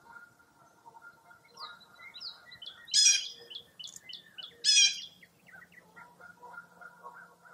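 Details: Several birds singing at dawn in early April fog by Mirror Lake, Wisconsin. Soft chirps and whistled notes are broken by two loud, bright, high bursts about two seconds apart.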